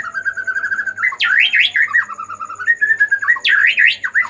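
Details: Agitated white-rumped shama song meant to stimulate other shamas to sing: a steady run of clear whistled notes broken by loud, rich, rapidly swooping phrases, repeated twice.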